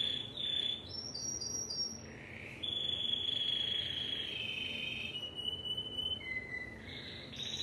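Timbrado canary singing long, metallic, high rolls that hold steady and then step down in pitch, with a faint background hiss.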